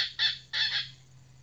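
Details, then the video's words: Female red junglefowl kept as a decoy (pikat betina) for trapping: two short harsh clucking notes, each broken into a quick double pulse, then a faint steady hum beneath. "Ayam Hutan Pikat Betina"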